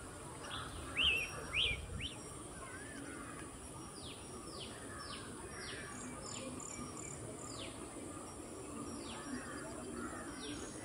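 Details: Oriental magpie-robin (Copsychus saularis) singing in Kerala: a few sharp whistled notes, then a run of rapid downslurred whistles at about two per second, over steady background hiss.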